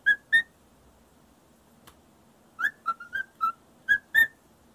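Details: Captive male parrot sings a learned whistled tune to a feather duster: two clear whistles, a pause with a faint click, then a quick run of six short, pure notes rising and falling slightly.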